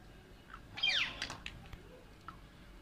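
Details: Alexandrine parakeets, kept as pets indoors, fighting over and playing with toys: one short harsh squawk with a rising then falling sweep, a single burst in a quiet room with faint thin clicks after it.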